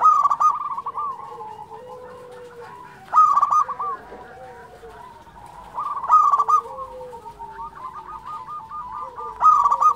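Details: Actively singing local zebra dove (perkutut lokal): a loud, clear, stuttered trilling coo repeated about every three seconds. Softer wavering coos and low purring trills from other doves run between phrases.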